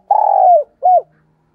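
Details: Spotted dove coo used as a lure to call in other doves: a long burred coo sliding downward, followed by a short arched note, clean and close with no other sounds.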